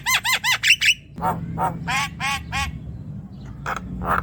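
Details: Javan myna song played to encourage a silent young myna to sing: a quick run of five nasal squawking notes, then slower harsh, rasping notes over a low hum.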